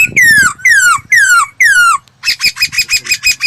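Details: Laughingthrush singing for voice training: four long harmonic whistles sliding downward, then a rapid run of short chattering notes, with a faint low hum in the background.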